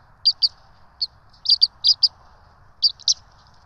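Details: Twin bald eagle chicks are fed at the Johnson City ETSU nest, recorded by nest cam on 12 March 2024. They give loud, high, clipped peeps in pairs and short runs, separated by brief pauses, over faint background hum.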